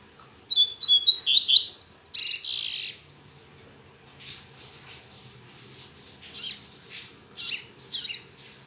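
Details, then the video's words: Double-collared seedeater recorded on a Saturday morning, singing often though its song is still weak: a bright burst of rapid sliding whistles and buzzy notes, followed by softer scattered chirps spaced about a second apart. "Coleiro Mack Cantando Muito Pela Manhã"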